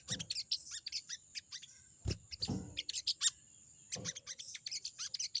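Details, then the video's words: Crested jay, called sogon, challenging a rival with clusters of sharp, high chattering chirps broken by brief pauses. Dull low knocks interrupt, and a steady high-pitched whine continues. "crecet crecet burung sogon memanggil lawan!!"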